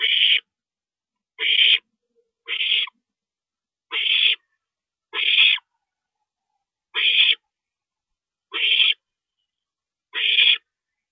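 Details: Nighttime owl nest visit by a parent, 2:40 AM, April 22, 2012: eight rasping, breathy screeches, each under half a second, spaced one to two seconds apart in silence.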